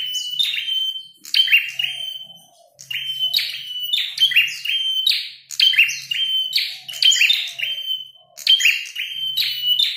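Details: Singing red-headed prenjak during a fight, delivering loud phrases of a drawn-out whistle then fast scratchy buzzing notes, repeated about every one to one and a half seconds, over a faint low hum.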